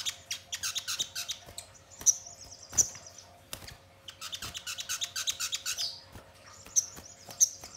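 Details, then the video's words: Sogon song played as a lure to make birds sing and respond: thin high chirps and bursts of rapid twittering, with a few sharp piercing notes and clicking taps throughout. "Pancingan Sogon Bahan Agar Cepat Bunyi Gacor dan Langsung Respon Nyaut"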